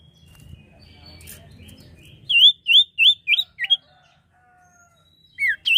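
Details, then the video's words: Common iora singing loudly, a lure recording for birds: six sweet rising whistles delivered briskly, a short pause, then two twisting slurred notes. Low rumble early on. "sirtu gacor atau cipoh gacor"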